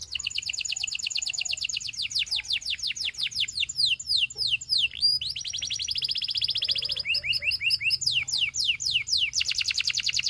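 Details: Gloster canary singing to prompt other canaries to sing: a continuous, high-pitched rapid song of fast downward-sweeping whistled notes run together into rolling trills, with short chattering bursts and brief changes of tempo throughout ten seconds.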